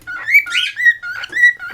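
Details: Pet cockatiels indoors in West Newton, Pennsylvania, one male possibly wooing a female; tonal whistled phrases alternating between two pitches, a lower note then a rising higher note, repeated about four times in quick succession with slight buzzy overtones.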